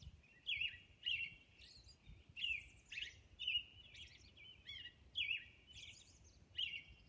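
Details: A Robin's dawn song on Orcas Island, a steady run of clear, liquid whistled phrases, each slurring up and down, roughly one to two per second, with high thin notes tucked between.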